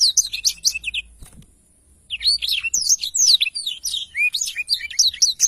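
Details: Black-throated canary song for teaching songbirds, with fast high twitters, a silent gap of about a second, then continuous varied whistled phrases and trills.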